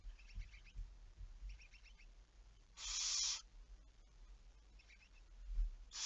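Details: Night recording of a barn owl, 11 May 2019 at 23:34: one loud, raspy hiss lasting about half a second, with soft chattering ticks before and after and a second hiss beginning at the end.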